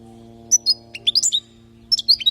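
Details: Training song of a European goldfinch from Palestine, used for tutoring young birds: quick high chirps and liquid slurred notes in a rapid jangling run, then a second twittering burst after a short gap, low hum in the background.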